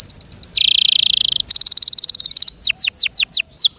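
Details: Canary in care singing loudly: short high notes, a steady buzzy trill, a sparkling very fast high trill, then a series of slurred downward whistles.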